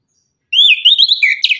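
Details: Morning song of an Orange-headed thrush, meant to make other birds reply: a continuous rich warbling run of rising and falling whistled notes, ending in a sharp buzzy flourish.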